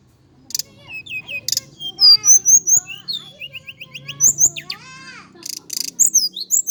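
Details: High, fluty song of a Javan indigo flycatcher: thin looping whistles and repeated short slurred notes in quick succession, punctuated by sharp buzzy chips.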